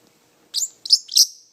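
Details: A pet parrotlet talking gives three quick, squeaky, high-pitched syllables in under a second, like clipped chattered words, with silence around them, amid its owner's "pretty bird" prompting.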